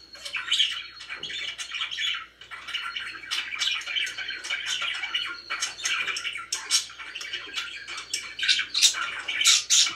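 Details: Pet budgies in a cheerful mood, chattering nonstop: buzzy squawks, rapid chirps and bright sharp notes, growing denser and louder toward the end, inside a small room.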